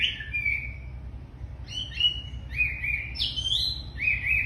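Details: Wambi, described as very tame and singing vigorously, gives separated phrases of clear whistled notes, some level, some jumping higher, with short pauses between, over a faint low hum.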